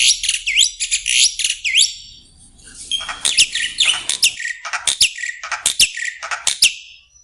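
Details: Song of a Black-winged myna, meant to prompt other birds to sing: sharp descending whistles at first, then a busy stream of shrill squeaks, clicks and grating notes.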